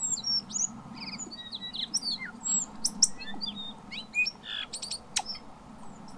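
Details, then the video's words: Native New Zealand tui, a bird with two voice boxes, giving a varied song of quick high whistles, short upward and downward slurs and sharp clicks in fast succession, over a steady low hum. "Tui bird has 2 voiceboxes"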